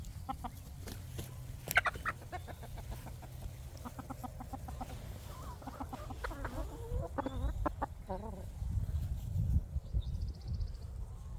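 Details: Free-range farm chickens searching for bugs during the day give a run of short harmonic clucks, some wavering and rising, over steady low rumbling background noise and scattered clicks.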